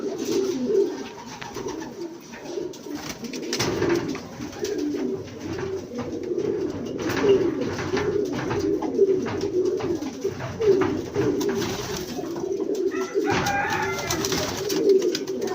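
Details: Racing pigeons coo in low, throaty, rolling phrases that overlap continuously in a busy loft.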